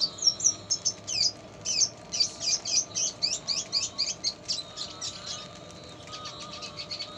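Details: Red siskin, locally called pastol, singing actively, its song filled with lovebird-style phrases; rapid high twittering and chirped notes, about four per second, in a dense run that fades into softer chirps, over a steady low hum.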